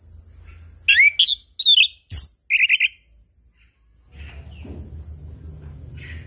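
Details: Whistled song of a chestnut-capped thrush, a lure for birds that have stopped singing: bright swooping notes and a short rattling trill, followed by a faint background hum.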